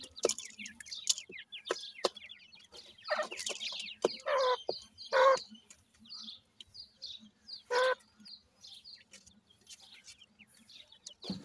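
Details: Feeding grey francolin chicks give scattered high, thin chirps, broken by several louder, fuller calls with a harsher tone and by quick tapping clicks.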